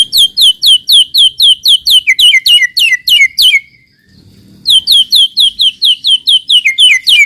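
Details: Lure recording of white-rumped shama song meant to make other shamas sing: high, rapid downslurred chips about four per second in a long steady run, a short silence, then the same run again.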